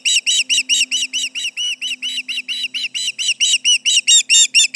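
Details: On July 29, 2019, around 11:30am MDT, an osprey at the Charlo nest alarms at intruders with rapid, repeated shrill whistles that stay steady and swell slightly near the close.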